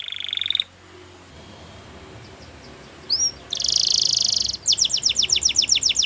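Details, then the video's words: Wild canary in the morning: a short high trill, a pause with faint notes, then a dense buzzing trill and a rhythmic string of sharp repeated chips. "Wild Canary Singing In The Morning"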